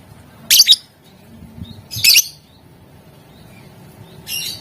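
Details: Lovebird in gacor style with ngetik and ngekek, sounding to draw answers from rivals: rough, buzzy high chirps repeated about every one and a half seconds, some doubled, over faint low noise.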